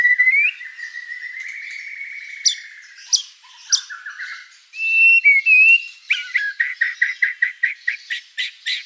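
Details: White-rumped shama in full song, with long sliding whistles, twangy buzzy notes and short harsh calls, ending in a quick run of sharp repeated chips.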